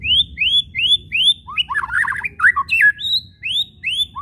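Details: White-rumped shama kretekan for provoking shamas to sing: repeated rising whistled upslurs framing a harsh, scratchy chattering burst in the middle.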